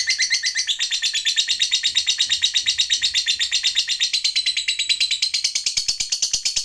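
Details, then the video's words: Long 'ngekek panjang' trill of a lovebird, meant to stir other lovebirds into singing; a sustained, piercing, rapid chatter that stays high and continuous, pulsing evenly for the whole stretch. "JAGONYA MENTRIGER LOVEBIRD, Labet Apapun Yang Dengar Jadi PANAS, CEPAT NARIK Ngekek Panjang"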